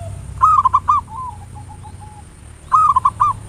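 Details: Zebra dove, local bird, singing as a lure in the ngayer nulop style. Two bright phrases of quick staccato coos about two seconds apart, with softer trailing notes between them over a faint low hum.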